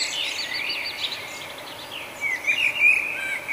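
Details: A nightingale's morning song in Budapest, Hungary, in May 2009: a fast, varied phrase of rapidly repeated chirping notes that ends in a few bright, sharp whistles, with faint background hiss.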